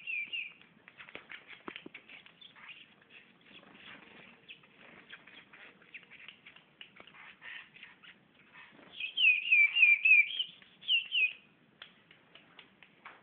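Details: White-bellied seedeater, called patativa chorão, gives quiet scattered notes and clicks at first. Near the end comes a louder run of about five clear whistled notes, each sliding downward, then a short pause and two more similar notes.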